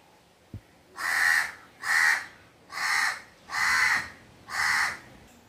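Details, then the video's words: Crow calling with five harsh, evenly spaced caws, each about half a second long, after a single faint click. "Crow sounds"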